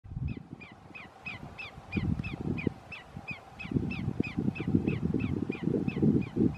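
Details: Greater yellowlegs (Tringa melanoleuca) calling at Roxbury Park, Meggett, South Carolina, on 1/5/2019: a long, steady series of clear, down-slurred whistles, two or three a second, over heavy low rumbling wind noise.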